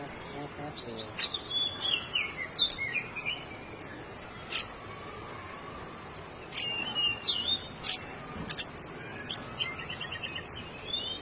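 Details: Tickell's blue flycatcher calling in a busy run of high, quick chirps and short sliding whistles, some in fast rattling clusters, separated by brief pauses, with faint clicks and low background hiss.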